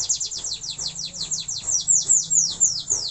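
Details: Young-sounding canary practising its song, a steady series of sharp, high descending chirps repeated rapidly and evenly for the whole stretch.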